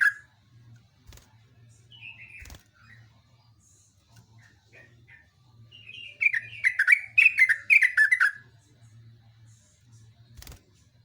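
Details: Yellow-vented bulbul singing vigorously in a long rapid-fire phrase: scattered soft chirps, then a loud burst of quick, bubbly, descending notes around six to eight seconds, fading into a low background hum.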